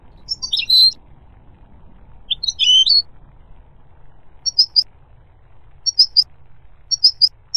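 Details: Goldfinch making a few twittered chirp groups early on, followed by soft paired ticking notes repeated every second or so, against a faint low hum.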